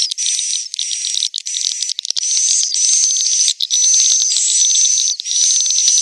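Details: Roosting call of swiftlets from inside a successful swiftlet house, used to draw swiftlets in to roost: bursts of high buzzy twittering about a second long, separated by brief gaps, with thin whistles layered on top.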